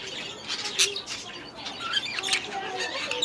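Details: Young budgerigars, last year's babies now grown, just released into a new aviary at the start of the season, giving a dense mix of high chirps, squawks and warbling notes from several birds at once, with some wing flapping.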